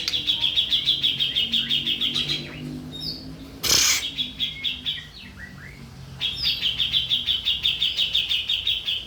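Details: Grey-cheeked bulbul on a master recording for training birds: fast, regular chattering notes in long runs, a loud rustling burst and a few thin whistles midway, then the rapid chatter returns.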